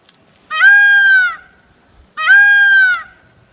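A peacock gives two loud, nasal, wailing calls about a second long each, rich and harmonic with a slight rise then fall, spaced under two seconds apart.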